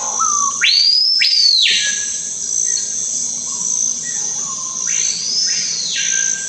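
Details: Screaming piha (cricrió) of the Amazon delivering two loud ringing phrases. Each has a short lower note, then a piercing whistle that leaps upward, holds high and ends abruptly. A constant shrill insect chorus runs throughout.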